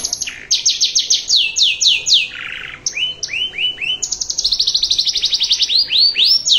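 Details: Master song of a canary in luxurious cengkok style, meant for teaching young birds: fast series of high falling notes, a short lower buzzy burst, then rising swoops and quick repeated chips.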